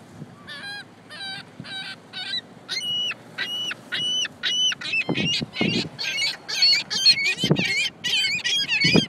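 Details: Gulls gathered in a parking lot: a rapid series of sharp, nasal, yelping calls that grow louder and faster, several birds joining in, with low thumping sounds in the background.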